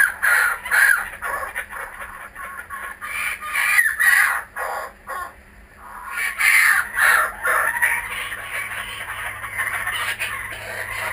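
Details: Returning kookaburras at a home, filmed with GoPro Hero 3D and Fujifilm W3 cameras, give bouts of harsh chattering laughter that fade to a brief lull midway, then resume with rhythmic raucous notes.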